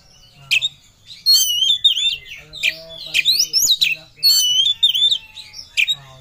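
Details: Oriental magpie-robin singing with full emotion while seeking a rival: loud, richly varied whistled phrases with rising and falling sweeps and harsh chattering elements, delivered in quick bursts over a low hum.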